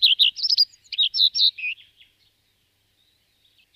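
A common redstart gives a quick, high twittering phrase of varied chirps and short warbled notes lasting under two seconds, followed by silence.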